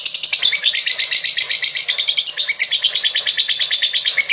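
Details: Lovebird in full gacor ngekek, a long, unbroken and fast stuttering rattle of shrill notes with a steady pulse, played as therapy to push other lovebirds to sing quickly.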